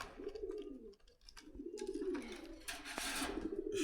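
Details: Repeated deep, rolling coos from pigeons at a Dhaka market in Khilgaon, one phrase after another, overlaid by bursts of broad rustling noise and faint voices.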